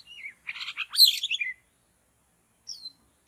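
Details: White-rumped shama recorded in forest while being trapped: a brief, loud burst of rapid chattering and twittering notes after a slurred whistle, then quiet with one short high note.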